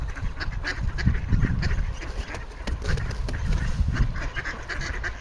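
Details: Ducks on a frozen pond in Toronto, Canada, making noise for food on 28 January 2025: crowded, clipped quacking calls tumbling over one another, backed by heavy low rumbling noise.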